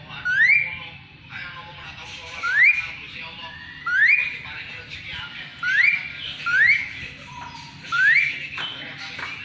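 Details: Asian pied starling, its distinctive voice used to teach and provoke magpie-robins: a rising whistle repeated six times at roughly regular intervals, with faint chatter between.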